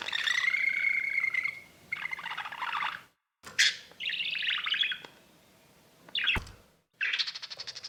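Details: Indoor exhibition budgerigar warbling: a long buzzy, steady whistle-like tone, then scratchy chatter and rasping phrases, broken by brief silent breaks and a sharp click.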